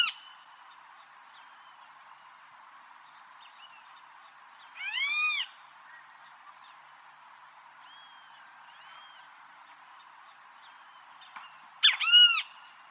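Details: Great kiskadee singing in the wild: two loud, harsh, harmonic-rich calls about seven seconds apart, each a sharp opening note and a drawn-out arched note, with faint whistles from other birds between them.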